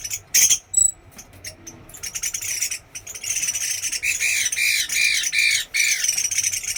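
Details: Chinese hwamei from Da Lat: a few high thin whistles, then a building run of fast, loud, repeated arched whistled notes with harsh overtones, almost continuous.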